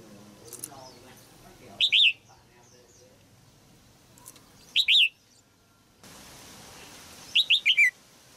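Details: Red-whiskered bulbul female sings in a cage to stimulate a mature male. Three phrases about three seconds apart: two short falling-rising whistles, then a quicker run of four notes. Faint chirps are heard between.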